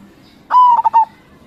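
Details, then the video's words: Zebra dove, local type, crossing-style song used as a lure: one short clear phrase, a sustained whistled note breaking into three quick pulsed coos, then quiet. "Suara Perkutut CROSSING GACOR SUPER Paling dicari, Perkutut Lokal Gacor 105"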